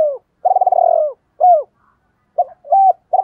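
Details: Spotted dove kept as a decoy, calling in the "double voice" style. A long, rapidly pulsed, gently falling coo is followed by one arched note. A new phrase then begins with short hooked notes and another pulsed coo. No background noise.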